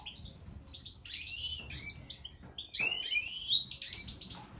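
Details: European goldfinch of the Major white-throated form singing: quick, varied high twittering with bright tinkling notes, short rising whistles and buzzy fragments, delivered in irregular bursts with brief pauses.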